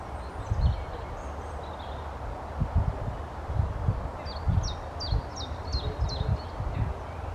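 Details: Short-toed treecreeper in the Dwingelderveld gives a thin, high series of quick, evenly spaced falling notes, with fainter high calls earlier, over heavy low wind rumble and rustling.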